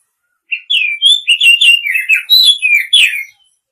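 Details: Female Oriental magpie-robin calling to a male: a dense burst of varied whistled chirps, smoothly gliding notes packed closely together for nearly three seconds, preceded and followed by silence.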